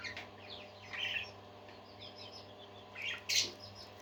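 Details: Several parakeets singing: quick chirps and short warbled notes, some rising and some falling, in loose clusters with brief pauses, over a steady low electrical hum and a faint background hiss.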